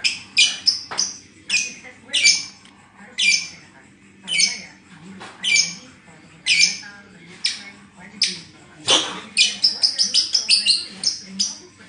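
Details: Lovebird said to be in moult, its song called broken, giving spaced rough squawking chirps about once a second, ending in a quicker rattling series of high notes.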